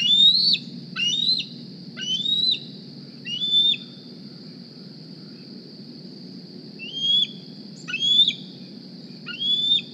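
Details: Morning at the Decorah nest, juvenile bald eagle D36 begging for a meal: four shrill rising squeals in quick succession, a pause of about three seconds, then three more, over continuous low-pitched background noise.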